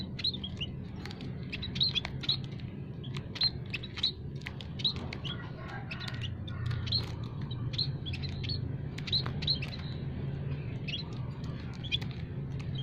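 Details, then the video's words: Several munia species in an aviary chirping nonstop to call rivals, a lure for trapping: dense bursts of thin high tweets and squeaks, irregularly spaced, over constant low-pitched background noise. "burung emprit kaji,emprit peking,emprit jawa full masteran kicau pikat"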